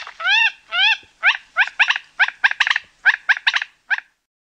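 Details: Common moorhen (Gallinula chloropus) giving two drawn-out, harsh, harmonic notes that bend upward, followed by a rapid, uneven series of short, clipped croaking notes, some in pairs, stopping abruptly after about four seconds.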